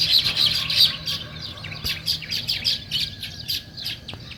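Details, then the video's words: Morning sparrows give quick bright chirps in rapid succession, many short high tweets overlapping in a lively chatter above a low background hum. "Natural Sparrow Chirping Sounds"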